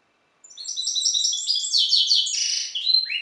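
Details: A European goldfinch hybrid (mule) singing in the style of the Balkan goldfinch (Carduelis carduelis balcanica) gives a fast, bright run of tinkling, twittering notes with buzzy trills, high-pitched and continuous, with no other sounds.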